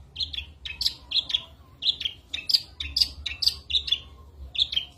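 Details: Long-tailed shrike singing a lively isian medley, used to prompt contest birds. Quick paired chirps and short whistled notes repeat in rapid, uneven bursts.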